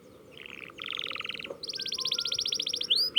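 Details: Canary practising its roll: a short buzzy trill, then a denser mid-pitched rattling trill, then a long fast high trill of rapid repeated notes, ending in two sharp rising whistles.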